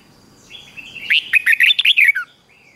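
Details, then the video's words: A red-whiskered bulbul in morning song, used to train bulbuls to sing: a thin whistle, then a lively run of about ten clear, slurred notes that drops at the end. "Luyện cho chào mào hót sáng"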